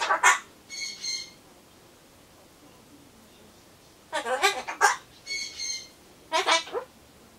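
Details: Captive Solomons corella's solitary chatter before its pumpkin arrives, saying farewell phrases like bye-bye; rough spoken syllables alternate with clear, steady whistled notes, in two matching sequences.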